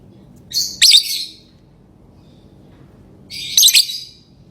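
Lovebird giving two short bursts of harsh, high chattering chirps about three seconds apart, with quiet between them.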